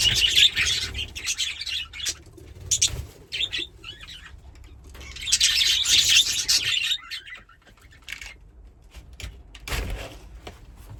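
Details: Two playful pet budgies chirp and chatter in high, scratchy warbling bursts separated by quieter pauses, with soft wing flutters and low background rumble.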